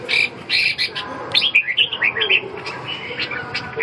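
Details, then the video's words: Red-whiskered bulbul singing a quick run of clear, slurred whistled notes, several rising-and-falling phrases delivered in a tight burst, preceded by a couple of brief chirps, with soft background hum. "Kênh về chim chào mào"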